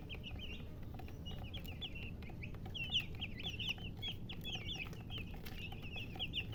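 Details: Chicken chirping from a murgi hen and color chickens: rapid, bright, slurred peeps follow one another with barely a gap and bunch into busy runs. A constant low hum sits underneath.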